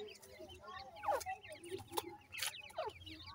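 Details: Teetar chicks, meaning francolin chicks, calling while fed: thin, high peeps slur downward, several birds at once, punctuated by a few sharp clicks and a low steady hum.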